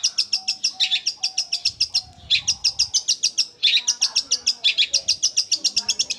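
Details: High, fast and unbroken machine-like rattle of evenly spaced chips from a Long-tailed shrike. The song style is gereja Kunti, with a rolling speed compared to a sewing machine.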